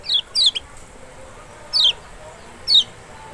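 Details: High thin descending whistles of the lemon-bellied white-eye, Lombok or Sumbawa race Zosterops chloris maxi, intended to provoke a silent bird: two quick notes, then two more spaced about a second apart, quiet background.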